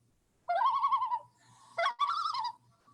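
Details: Common Loon, wintering in Connecticut waters, gives its tremolo: two bursts of rapid, quavering, laugh-like wavering notes at mid pitch, each under a second long, over a faint low electrical hum. Loons sometimes call there in spring before heading north.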